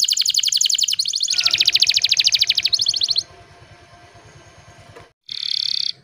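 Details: Gacor canary song meant to prompt silent canaries to sing: about three seconds of loud, fast, high rattling trills, then a low rumbling background noise, then a brief bright trill burst at the end.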